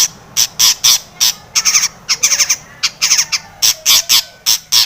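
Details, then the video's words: Long-tailed shrike in lively, full-fill singing, used as a lure to provoke other shrikes to sing: harsh, squawky, buzzy notes repeated roughly every second, some in quick doublets and triplets, over a quiet background. "SUARA cendet gacor ATATCLETAT pancingan cendet agar bunyi emosi JADI burung pentet gacor full isian"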